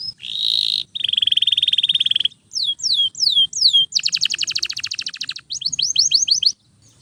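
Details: Canary song meant to train other birds: a buzzy rolling tour, a rapid trill, swooping downslurred notes, then another fast trill and a run of hooked notes.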